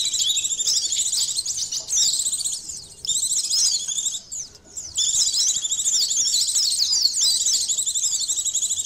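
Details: Pleci, the white-eye, singing in an Indonesian recording made to test emotion and arousal: long stretches of rapid, high chattering warble, with a short lull midway before the song resumes.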